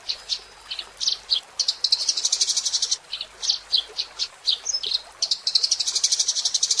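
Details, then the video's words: Spirited Eurasian tree sparrow song mixing separate high chirps with quick chattering bursts of rapid, buzzy notes, the pace speeding up toward the end. "Kicau Burung Gereja Gacor"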